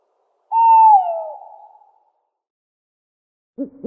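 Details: Owl giving one long hoot that starts steady and slides gently downward over about a second, then trails off; a short two-part sound cuts in at the very end.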